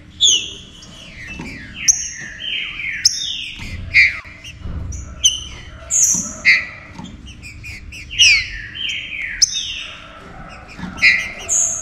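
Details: A Green-winged saltator (Saltator similis) sings loud, clear whistled phrases, often sliding downward, repeated every second or two in a lively, overlapping stream, played to excite and warm up captive birds.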